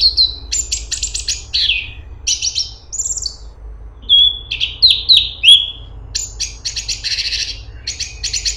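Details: Cungkok in full, busy song: bursts of rattling buzzy notes, then a string of clear whistled downslurs, then more dry chattering trills, with no other sounds.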